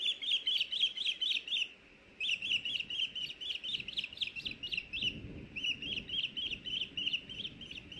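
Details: Osprey chick at a nest in Hellgate Canyon, Missoula, Montana, in June, taking back the evening fish an adult delivered. Rapid, high, squeaky chirps repeated about four per second in clustered bursts, with a short pause near two seconds and low background rumble.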